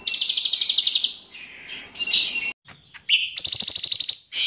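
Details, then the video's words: Bulbul with cicilin songs in its repertoire, singing hard: a fast pulsing trill, squeaky warbled notes, a brief gap, then another rapid high rattling series. "Cucak Ranting Gacor Isian Cicilin"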